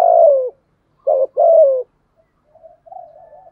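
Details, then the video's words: Spotted dove coo for decoy training: a long falling croo, then a clipped note and another drawn-out croo, followed by faint soft murmurs. "chim cu gáy thúc gù + gáy gọi bài bản. chim cu gáy tập bổi rất nhanh nổi"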